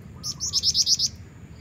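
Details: High, rapid notes of a female black-winged flycatcher-shrike calling to lure a male, about seven quick slurred pips in an accelerating run, with faint lower tones and hum behind.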